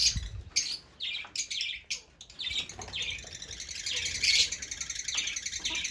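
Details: Fischer's lovebirds chattering with shrill, squeaky high notes and harsh buzzy bursts, becoming a continuous twittering wash toward the end, with a faint low thump at the start.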